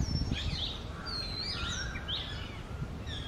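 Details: Male and female Oriental magpie-robin singing at dawn in the summer breeding season, rich sweet whistled phrases that swoop up and down in quick succession, with a steady low hum of background noise underneath.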